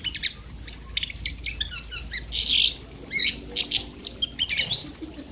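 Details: Oriental magpie-robin fighting bird giving a quick series of sharp chirps and short whistled notes over a steady background hiss, fainter and more spaced than a full song burst.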